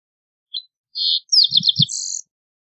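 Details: Song of a green-tailed towhee: a brief high note, a short buzzy burr, then a rapid series of falling slurred notes ending in a high, dry, buzzing trill. The bird is heard alone.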